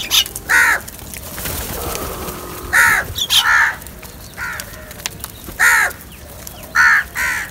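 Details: Crows gathered for food caw over and over, harsh nasal calls coming singly and in pairs at uneven gaps, with faint rustling between them.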